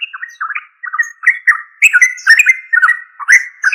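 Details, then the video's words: Continuous liquid chatter of a yellow-vented bulbul (trucuk): a string of short, slurred, bouncing notes, briefly broken once and then growing louder with overlapping high squeaky notes. "Yellow Vanted bulbul trucuk"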